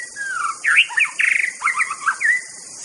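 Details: Wild white-rumped shama singing: a varied phrase of clear whistles, slurred rising and falling notes and a rapid trill, over steady high insect hiss.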